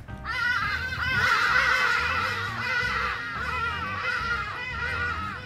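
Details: Several Hadeda Ibises in a suburban garden area in Cape Town give their distinct, loud, harsh, overlapping name-giving calls that rise and fall continuously, with a musical backing underneath.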